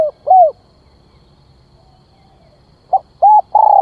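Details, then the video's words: Spotted dove calling to lure birds, kept as a decoy: a hollow arched coo, a long pause, then a clipped note, an arched coo and a long low coo beginning a new phrase. "Tiếng Chim Cu Gáy Gọi Kích Mồi"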